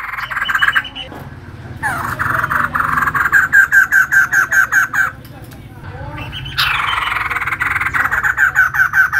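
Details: Vigorous singing from a female white-crested laughingthrush, with bursts of rapid, ringing repeated notes separated by short pauses. One series starts with a higher rising sweep, and a steady low hum runs underneath.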